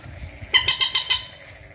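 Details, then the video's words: Bantiung, also known as mandar or peruk: a single short burst of five quick, harsh, nasal notes with rich overtones, against a faint low engine hum. "Suara burung bantiung/mandar/peruk"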